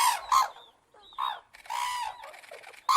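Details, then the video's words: Crane calls as a burst of loud, rough, harmonic notes in quick succession, broken by short gaps, with faint thin whistles from another bird between them. "Голоса птиц как поёт Журавль (Grus)"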